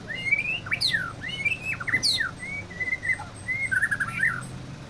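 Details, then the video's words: Agitated white-rumped shama sings softer whistled phrases: wavering slurred notes, quick sharp upward sweeps and short warbled runs against a low background hum. "Murai batu mudah emosi"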